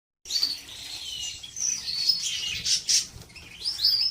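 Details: Domestic canaries in a breeding room, birds being prepared for mating, with several singing at once: overlapping high twittering and short whistled phrases that blur together, with brief louder bursts near the end.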